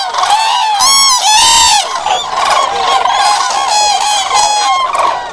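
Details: Loud common crane bugling, several clear ringing calls with stacked harmonics between about one and two seconds, then a thick chorus of rolling, overlapping trumpeting from many birds.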